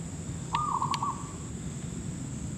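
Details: Zebra dove (perkutut lokal, merbuk kampung) at a trapping site gives one quick, broken, stuttering coo. Low rumble and a steady shrill whine run underneath, with two sharp clicks.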